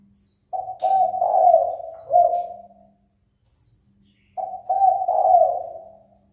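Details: Spotted dove calling to stir another dove to fight. Two hoarse, mellow cooing phrases of several rolling notes, the first longer and ending in a drawn-out fading coo. Quiet pause between them, plus brief thin chirps of other small birds.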